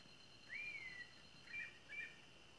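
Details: Rufous-bellied thrush (sabiá-laranjeira, though the owner is unsure) singing before nightfall: fluty whistled phrases, one long slurred note rising then falling, then two short doubled notes about half a second apart, over a steady high hiss.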